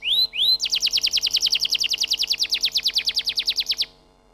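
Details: Canary song opening with two rising whistles, then a rapid, even trill of about twenty-five bright repeated notes lasting three seconds before stopping.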